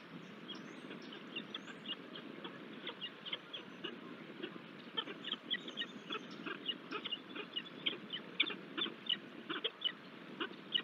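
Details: Peregrine falcons at Manchester, New Hampshire, USA, 24 April 2023, female standing in for male: quick runs of short, sharp creaking notes, several per second, over a steady low rush of wind or distant traffic.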